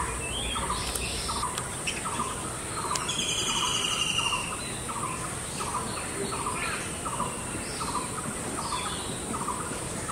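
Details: Woodpecker eating mango in Bangladesh: a steady run of short, evenly spaced nasal notes, about two per second, over constant high insect hiss, with brief chirps from other birds.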